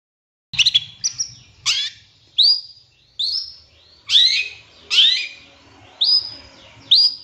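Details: Provoking master song of a long-tailed shrike: a varied series of loud, downslurred whistles and sharp, sweeping notes, each phrase separated by short pauses, about one per second.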